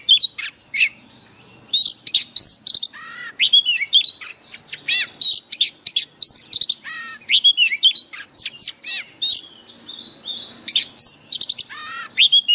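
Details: Oriental magpie-robin performing a wild-voice song meant as daily training audio for caged birds: a dense, continuous run of sharp chirps, whistles and swooping buzzy notes with brief gaps.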